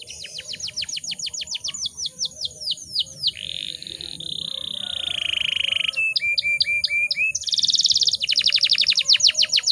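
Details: Female canary in breeding condition, calling so that males will answer in song: descending chirp series, a long buzzing roll, clipped repeated notes and a fast high trill over a low background hum.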